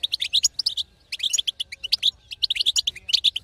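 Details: Female European goldfinch giving batbata calls meant to excite a silent male into singing: quick bursts of high, bright chirps and twitters in tight clusters, short pauses between bursts.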